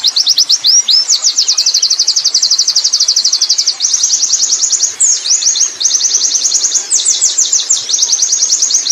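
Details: Ngerol-style song from a wild Oriental white-eye: long, fast, high-pitched trills running almost without pause, broken by brief switches to sharper slurred notes, bright and continuous throughout.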